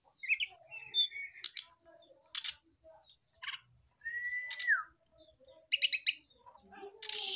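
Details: Male brown-chested jungle flycatcher responding to a female set next to it. Jumbled high whistles and buzzy notes, a long level whistle that drops at its end, and rapid repeated chips near the close.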